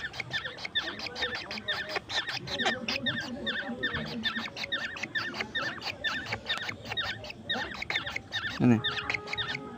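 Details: Pet baby birds, orioles and koels, pleading for more grasshoppers at a night feeding indoors; a continuous dense stream of sharp, slurred chirps with a person speaking softly.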